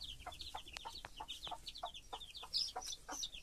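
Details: Chicks beside their mother hen, a broody foster hen: rapid, shrill, falling peeps overlap one another, while soft, short clucks recur about every quarter second underneath.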